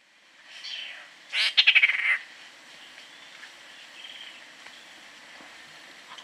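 A squirrel cuckoo gives a harsh, rapid burst of about seven dry clicking notes lasting under a second, after a fainter note; a soft hiss runs underneath.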